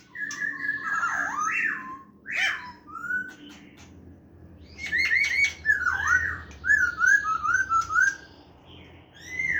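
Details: White-cheeked laughingthrush, recorded 29 September 2023, singing its wild-style song: loud, varied whistled phrases with slurred rising and falling notes and quick warbled runs, delivered in bursts separated by short pauses, over a faint low hum.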